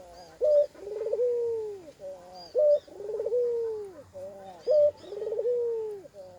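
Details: Spotted dove with an unusual voice, its coo carrying extra koak koak notes: a short bright note followed by a long buzzy, slurred, falling coo, repeated about every two seconds, three phrases in all.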